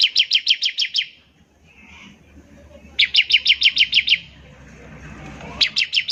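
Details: Bar-winged prinia, kept bird in song, trilling (ngebren) to prompt other prinias to sing: fast bursts of about eight sharp, high chips in one-second strings, repeated after short pauses, with faint background hum.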